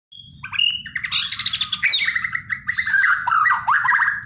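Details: White-rumped shama in energetic full song: a continuous rich stream of varied whistles, slurred notes and rapid trills, with a steady low rumble of background noise throughout.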